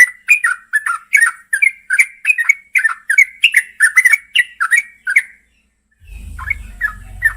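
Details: At night a female yellow-vented bulbul calls to the male with quick, rolling, liquid notes, each a short warble, repeated steadily for five seconds before stopping. Low rumbling noise follows.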